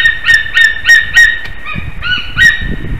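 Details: White-tailed eagles during mating at a nest in Slītere, Latvia, in late February 2021. Quick repeated yelping notes come in a steady run, pause briefly, then resume with a few shorter, lower yelps. Faint low rumble underneath.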